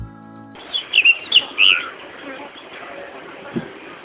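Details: A pied bushchat in the highlands of Sri Lanka gives a quick burst of four or five high, chirpy notes over about a second. A brief bit of music comes first, against a soft background hiss.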